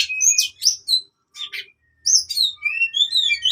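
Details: Oriental magpie-robin fighting song for training birds that have stopped singing: bursts of sharp high whistles and squeaky notes separated by brief silences, then a quicker chattering sequence.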